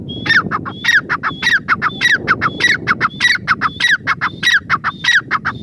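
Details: A grey francolin repeats a loud, ringing phrase roughly once a second, a high whistle followed by falling, grating notes, steady over a murmur of low background noise.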